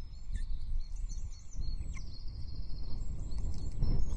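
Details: At the Loch Arkaig osprey nest, 9 June 2023, the female and chick call as the male arrives with a breakfast fish: a fast series of high, piping chirps and a short rapid trill over heavy wind noise.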